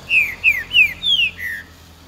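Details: Green-winged saltator (trinca-ferro) singing the song style called "eu sou terrível": five loud, clear whistled notes, each sliding downward, delivered in quick succession over about one and a half seconds, the last note lower and slightly longer.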